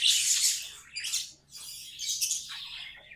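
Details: Pet budgerigars singing in bursts of harsh, buzzy chatter, a loud opening rush, a short squawk near one second, a brief pause, then more grating warbled notes ending in a falling rasp.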